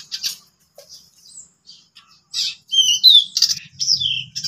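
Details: Pied bushchats, three together at home in ngeplon style: scattered short chirps, then a dense run of sharp whistles and scratchy notes in the final seconds.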